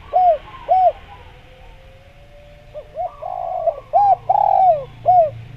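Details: Spotted dove calling vigorously for luring wild doves: two clear arched coos, a pause with a faint hum, then a burst of short coos and a long descending coo with a soft trill overlapping.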